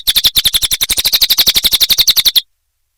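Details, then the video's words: Cililin song from a nonstop training recording for murai batu, kenari, lovebird and cucak ijo: a brisk, even series of piercing high notes lasting over two seconds, then silence. "Masteran Burung cililin"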